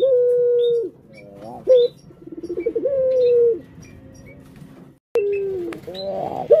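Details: Kept collared dove giving long, steady, low hooting coos that end abruptly, with a lower coo near the end and brief high chirps from other birds in between.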